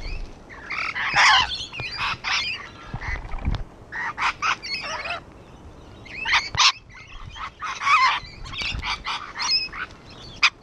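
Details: Several rainbow lorikeets on a wall keep up a continuous racket of coarse screeches and squawks in uneven clusters over about ten seconds.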